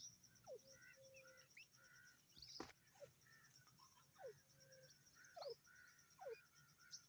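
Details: Young grey francolin (teetar) giving thin, steeply falling whistled peeps roughly every second, alternating with short level piping tones, one sharp click partway through, over a steady high-pitched buzzing drone and faint low noise.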